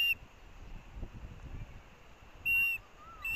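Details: At the Missoula, Montana osprey nest on the University of Montana campus, 18 August 2024, with a chick wanting fish from a parent. A brief whistled note opens the clip, then a longer one; quiet low rumble fills the gaps.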